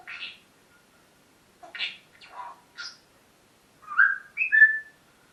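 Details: Parrot on a lively morning: rapid, buzzy, chattering notes in short bursts, then a run of clear whistles that jump up and drop back down.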